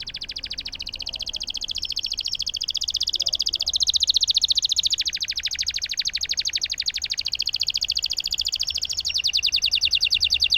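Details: Canary delivering a long continuous roll, used to get silent canaries singing: unbroken fast pulsed trill lasting over ten seconds, changing tone in several sections, with steady background hiss.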